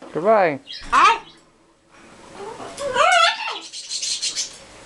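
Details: Pair of Green-winged macaws and a baby talking, saying things like hi, hello, good boy and I love you: two short, wavering, nasal words, a pause, then a longer run of raspy, word-like phrases.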